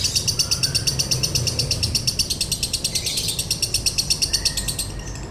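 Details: Lovebird delivering konslet song with a dry tone for tutoring and provoking other birds: a rapid, regular chain of shrill, gritty chirps that runs almost the whole time before easing off at the end.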